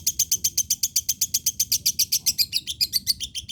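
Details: Lovebird singing: a rapid, even chain of sharp high chattering notes, about four per second, loud and clear over a quiet low hum.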